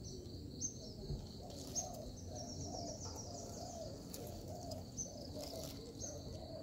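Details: Zebra dove serving as a trapping lure: low, rolling coo notes come in quick bursts, with sharp high chirps and a persistent shrill drone above.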